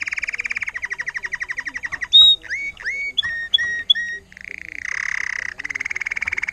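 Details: Trained Timbrado canary, intense yellow agate topaz colour, recorded 2018, singing: a fast rolling trill, then a series of clear rising whistled notes, a buzzy burst and another rapid trill.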